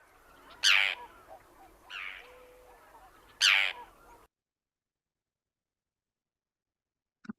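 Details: Forster's tern giving three harsh, rasping single "kerr" notes about a second apart, unlike the common tern's two-parted call, then silence with a faint click at the end.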